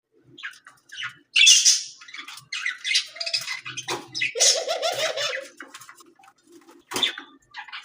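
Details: A pet budgerigar that wants to bathe chatters in scratchy squawks, quick chirps and warbled notes.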